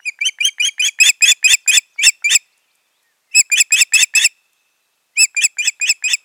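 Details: Osprey pair at the nest in Finland, 14 June 2019, the nesting having failed; rapid, loud trains of shrill whistled chirps, a dozen in the first run, then two shorter runs after brief pauses.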